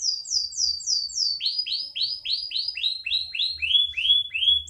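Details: Caged canary song made of rapid repeated down-slurred whistled notes, about four per second, first a high series and then a lower series that steps gradually downward, with faint low rumble beneath.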